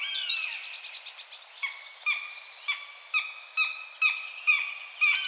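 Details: Common buzzard (Buteo buteo): a brief rapid stuttering trill opens, followed by short sharp notes that drop at the end, evenly repeated about every half second.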